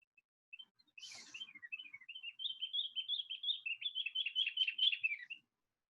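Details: Beijing babbler, a talented vocalist of wooded hillsides and mountains around Beijing and the Great Wall, gives a lively run of sweet, high, warbled notes, dipping and rising for about five seconds, with a brief rustle near the start.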